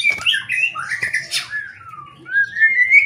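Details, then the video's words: White-rumped shama song used as a lure to get other shamas singing: sweeping whistles sliding up and down, a brief rough burst, then a long falling whistle and a rising clear note, over a low background hum. "PANCINGAN MURAI BATU ...KURANG GACOR,,!!,, PASTI NYAUT IKUTAN GACOR,, GAK BISA DIAM"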